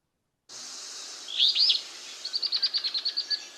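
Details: Alder Flycatcher, a bird of open shrubby wetlands often heard in alders, gives a brief, burry, high phrase of almost three syllables, then a quick run of about ten sharp, bright notes over faint hiss.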